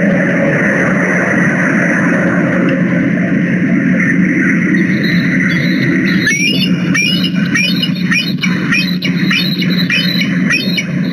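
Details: Bald eagles at a Minnesota, USA nest on 10 December 2020, two birds loud with a third in the distance, swapping and chasing: steady wind rumble, then rapid thin, high, chittering piping notes repeated several times a second.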